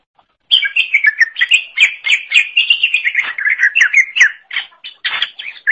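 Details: Green leafbird (cucak ijo) in full, energetic song, recorded as a tutor for training songbirds: a continuous rapid stream of bright chirps and whistled slurs, mostly high-pitched and steady, running for about five seconds without pause.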